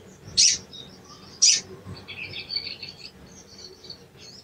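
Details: Sooty-headed bulbul giving sharp 'cuit' calls, played as a lure to rouse a silent or sluggish bird into singing: two loud, piercing high notes a second apart, followed by faint, soft twittering in the background.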